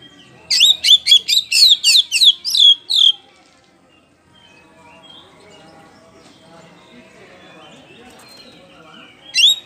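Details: Oriental magpie-robin of the poci type, in loud ngeplong style, used as a lure to draw out other birds' song: a rapid burst of about eight sharp, high chirping notes, a quiet pause with faint murmurs, then a new note starts.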